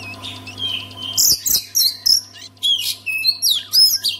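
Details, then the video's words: Oriental magpie-robin in song, intended to stir other magpie-robins to sing: a soft warble leads into loud, clipped whistles and buzzy notes repeated roughly twice a second, with a level low hum throughout. "KACER ANDA MACET BISU? SEKALI DENGAR KICAUAN KACER INI PASTI LANGSUNG GACOR"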